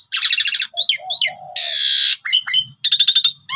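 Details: Lure song of a pied myna in full, varied delivery: rapid trilled chatter, short slurred whistles, a loud harsh buzzy rasp, then more bright whistles and fast stuttered notes.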